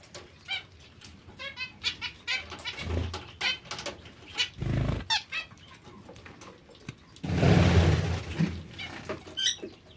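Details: Zebra finch giving rapid bursts of short, nasal, harmonic call notes, many in quick succession, with thumps and a loud rushing noise burst midway and near the end.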